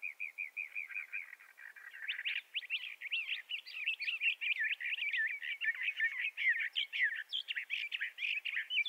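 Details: Bendire's thrasher in a long, continuous song. A short series of evenly repeated sweet notes opens into a rapid, varied stream of warbles, slurs and chirps, sung without pause, over a quiet background.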